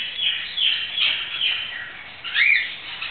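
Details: Hand-held green-cheeked conure being rolled over, chattering in quick squeaky chirps that rise and dip, ending with one louder upward-sweeping squeak.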